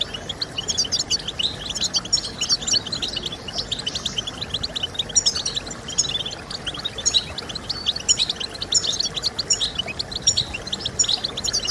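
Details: European goldfinch singing, offered to stimulate singing in kept goldfinches: a fast, unbroken stream of bright, high chirps and twitters, several notes per beat, with a constant soft background hiss.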